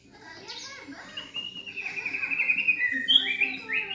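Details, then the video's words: A young, speckled 3.5-month-old black-legged Medan white-rumped shama, heard at a house in Yogyakarta, sings loud, rich fluting phrases of sliding whistles and quick chattering notes, building in volume, with faint human voices behind it. "Murai Trotol Gacor"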